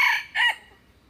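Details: Loud, rasping crow of a red junglefowl, two strong harsh bursts in quick succession, then fading away into quiet background.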